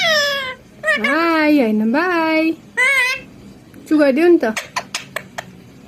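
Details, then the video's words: Parrot mimicking human speech indoors with long, smooth, humanlike phrases rising and falling in pitch, followed by a burst of short clicks and chatter. "coco learned saying 'gopi Krishna ko' finally"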